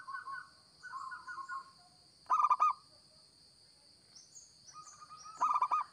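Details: Local zebra dove in vigorous lure song: soft trilling coos, then two loud bursts of rapid bubbling pulses with a drawn-out coo between, faint high chirps and a constant electronic whine behind.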